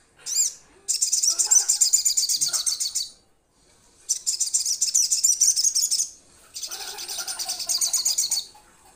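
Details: Sunbird calling to companions, said to be starting to call energetically: three long bursts of very high, rapid, buzzy trilling, each about two seconds, separated by short pauses, with a brief sharp chirp at the start.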